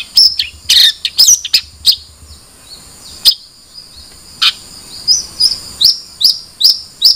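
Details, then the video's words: Long-tailed shrike uttering loud, sharp chirps in irregular clusters, then a steadier run of short, high, hooked notes at the end. "Suara Burung Cendet"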